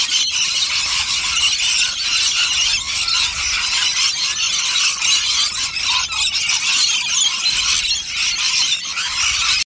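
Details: A large rainbow lorikeet flock at a nectar feed fills the air with an unbroken, loud high-pitched screeching chatter lasting throughout, with slight pulsing rises and falls.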